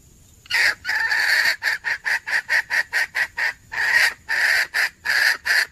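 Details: Red junglefowl hen calling on 17 February 2021, giving a rapid series of harsh cackling notes, long rasping bursts mixed with short clipped ones, roughly twenty notes in under six seconds.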